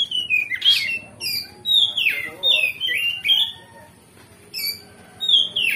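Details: Loud provoking song of an oriental magpie-robin, played to make other magpie-robins reply and bring out their fighting spirit: separate whistled phrases, each sliding down from high, spaced about half a second apart, with a quieter gap before the final notes.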